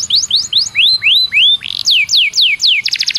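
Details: Canary singing as a lure to spur other canaries into song: a run of clear descending whistled swoops repeated about four a second, then a quick burst of sharp chips.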